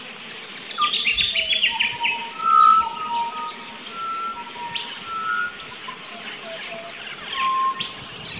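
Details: A pied butcherbird in an Australian backyard garden on 19 October 2018 sings slow, pure, flute-like whistles around one pitch, some held and some sliding, over thin chirps from other birds and insects.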